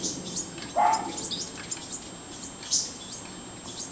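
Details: House wren (Troglodytes aedon) fledglings leaving the nest while a parent calls: thin, high chirps at an uneven pace with one lower harsh note early on, and a person speaking softly in the background.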